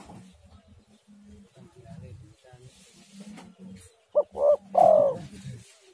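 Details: Spotted dove used as a decoy to make other doves call; soft low murmuring and knocks come first, then a loud three-part phrase: brief note, swelling coo, long falling trilled coo.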